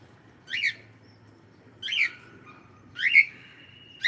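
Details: Cockatiel calling with short upward-sweeping chirps, the last one running into a sustained, level whistle held for about a second, in a quiet setting.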